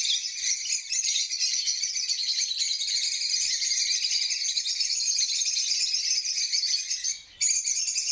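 Lovebirds keep up a dense, shrill chatter of rapid squeaks and twitters, several birds calling at once. The noise breaks briefly near the end.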